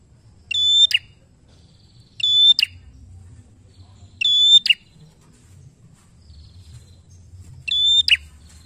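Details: Lively bar-winged prinia singing as a lure to prompt other birds: four loud phrases of a steady ringing whistle ending in an abrupt sharp note, spaced irregularly roughly two seconds apart.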